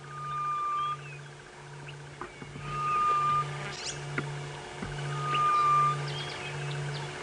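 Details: Grey-headed bush shrike in the wild, calling again after a pause during a sunrise safari drive on 29 October 2016: a long, pure, mournful whistle held steady, three times about every two and a half seconds, over idling engine hum and other birds.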